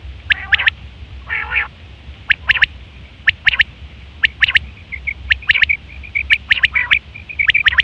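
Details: Common quail calls from September 2023, a sound for mating and hunting; a harsh buzzy burst opens, followed by clipped triple-note phrases and softer short piping notes toward the end.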